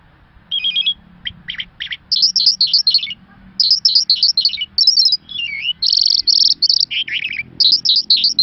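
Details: Irani Mashadi Jal lark singing: a varied, high-pitched run of buzzy stuttered notes, quick looping chevron phrases, steady bright whistles and fast downward strokes, in short bursts with brief pauses, over a faint low hum.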